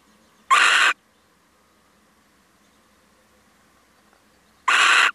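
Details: Two short, harsh screeches about four seconds apart from a male little owl coming to visit, the gap between them almost silent.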